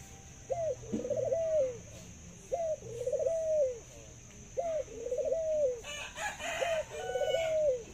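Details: Caged Thai dove, praised for its laughing voice and long coo, repeats wavering cooing phrases roughly every two seconds, each with a brief rising lead-in note, and a short burst of noise breaks in near the end.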